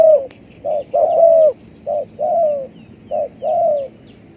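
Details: Spotted dove call used as a lure for trapping: repeated soft cooing notes around mid pitch, short coo followed by longer slightly falling coo, pairs repeating about every second, over low background hum.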